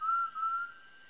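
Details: In the Brazilian sertão, an undulated tinamou gives a pair of pure, flat whistled notes in quick succession, with a constant high insect drone behind.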